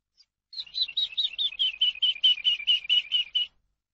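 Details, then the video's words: Eurasian skylark song for teaching birds kept in captivity. One faint chirp is followed by a three-second run of about fifteen repeated notes that slowly drop in pitch. "ALONDRA COMÚN AVE; CANTO PARA ENSEÑAR"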